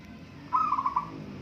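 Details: Brief song of a local zebra dove at a singing contest: one rapid series of about five rolling coo notes, then low hum.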